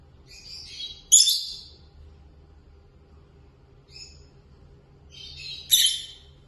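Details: Peach-faced lovebird pair, curious about the camera: a few short, harsh, scratchy chirps in separate bursts, with quiet gaps between them and a low hum underneath.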